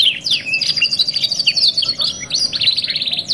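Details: Canary song used as a 2-in-1 tutor recording for training other canaries: fast rattling trills and downward-sweeping whistles, with a long steady high trill through the middle and a buzzy trill near the end.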